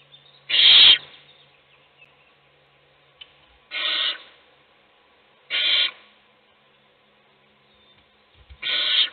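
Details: Four strong breathy hisses, each under half a second, recur about every two to three seconds inside an owl nest box during the feeding of one chick while its siblings sleep.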